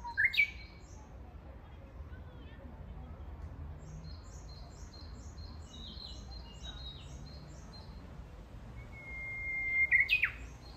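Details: Japanese bush warbler singing in a fresh green forest in Kitayama, Kyoto, Japan, June 2022. A song ends at the start. Near the close comes a long steady whistled note, then a sharp, explosive falling flourish. High, rapid chirping runs through the middle.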